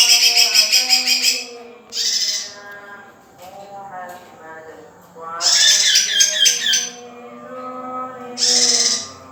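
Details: Young male lesser green leafbird delivering several loud bursts of rapid, shrill chattering song, each one to two seconds long, separated by quieter pauses with soft tones in between.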